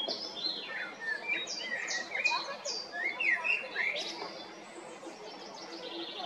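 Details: Male blackbird singing in spring 2022 at Jarun or Prečko, Zagreb, Croatia: a run of mellow warbled notes mixed with sharp, high, squeaky flourishes, then a quieter trailing twitter over constant low background noise.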